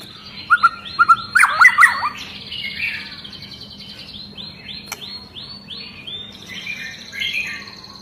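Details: Agitated long-tailed white-rumped shama, whose song sets other shamas singing: a burst of loud, jumbled whistles and chips, then a run of softer high, repeated notes from the birds around it.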